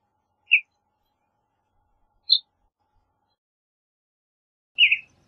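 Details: Sialia mexicana calling with three isolated, clipped tweets about two seconds apart, the last slightly longer and fuller, in quiet surroundings.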